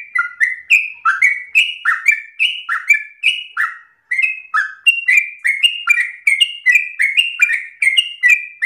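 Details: Persistent sooty-headed bulbul song from a kept bird, used as a lure for training other songbirds: bright fluting whistles in quick succession, short descending and rising slurs, one brief pause midway, otherwise continuous.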